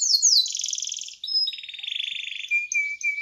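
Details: Canary in full voice, rolling ('ngeroll') song: high fast trills sweeping down, then buzzy pulsed rolls and a sustained whistled note near the end.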